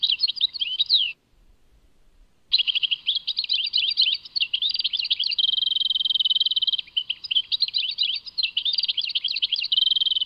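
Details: Goldfinch in Tadmait singing at length after an opening burst and a pause. The song is an energetic high twittering with repeated stretches of fast, steady, buzzy trilling.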